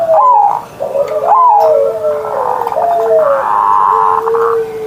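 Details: Perkutut (zebra dove) morning singing from a kept bird. Several sliding coos fall in pitch, and longer low steady tones hold beneath a broad buzzy band in the second half.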